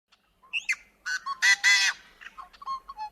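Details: Yellow-headed blackbird (Xanthocephalus xanthocephalus) song: a few clucking notes, then a loud harsh grating buzz spanning high and low pitches across the whole spectrum, trailing off in scratchy whistles; typical wetland bird.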